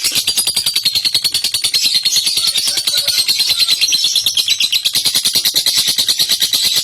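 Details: Lovebird, a kept bird praised by its owner as persistently vocal, delivers a long ngekek song. The song is a continuous, rapid, high-pitched chattering trill of evenly pulsed notes, several per second, lasting unbroken throughout.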